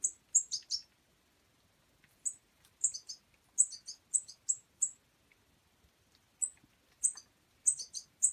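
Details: European goldfinch fledgling, a juvenile in care, being hand-fed: high, thin chirps in short clusters of two or three notes, bursts coming in three bouts separated by brief silences, no other sounds.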